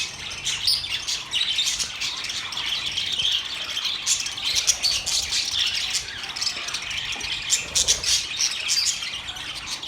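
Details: Several budgies chattering and singing together, an unbroken mesh of scratchy warbles, squawks and chirps at an even loudness.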